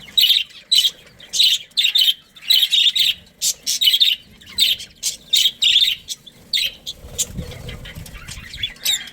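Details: A colony of breeding budgies chatters in rapid, steady bursts of bright chirps, nearly nonstop, with a brief low rumble near the end.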